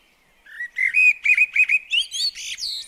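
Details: Common blackbird at a garden bird table gives a short phrase of steady, fluty whistles that rises at the end into thin, high, squeaky notes.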